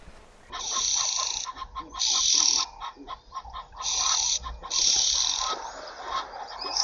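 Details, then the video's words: Common starling song built from harsh, hissing high-pitched bursts lasting about half a second, alternating with rapid clicking and rattling notes and short pauses. "Скворец. Часть 2. Голоса птиц"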